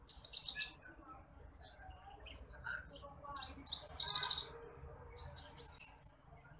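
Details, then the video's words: Titimplik, or branjangan apung bush lark, a rice-field bird, recorded as masteran for training other birds: dense buzzy high trills at the start, softer scattered chirps, then more loud trilled bursts. "MASTERAN BURUNG BRANJANGAN APUNG (TITIMPLIK)"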